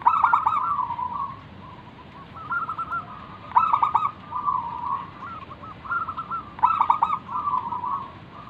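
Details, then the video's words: Local wild zebra dove in full song, used as a lure to draw other doves into calling: soft rolling coos broken by three louder, stuttering bursts, repeated roughly every three seconds over faint background hiss. "burung perkutut lokal Gacor manggung - pancingan pikat paling Ampuh mengundang bunyi"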